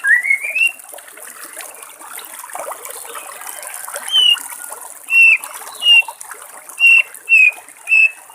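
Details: Wild white-rumped shama beside trickling water, giving a rising whistled slur, then short sharp high whistles repeated roughly every half second to second after a pause.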